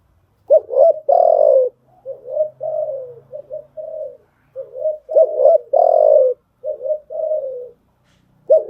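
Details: Spotted dove cooing used to train newly caught birds, with loud stuttered notes and full falling coos alternating with softer wavering mid-phrase notes, in two similar phrase sequences.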